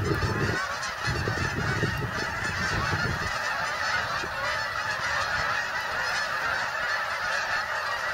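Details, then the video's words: Migrating geese pour into Bombay Hook National Wildlife Refuge, Delaware, USA, in a seamless wall of honks; low wind rumble dominates the first three seconds, then the flock noise continues alone. "Migrating Geese, Bombay Hook National Wildlife Refuge"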